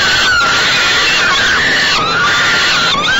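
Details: Hungry falcon chicks at a nest box, fed by their mother at about 6 pm on 28 May 2013, give drawn-out, grating screams that sag and rise again, with brief breaks roughly every second and a half.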